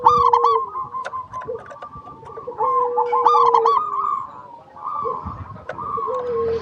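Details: Local zebra dove song played to prompt other doves to sing: repeated phrases of sharp hooked coos followed by rolling trills, overlapping a lower drawn-out steady tone, with scattered clicks.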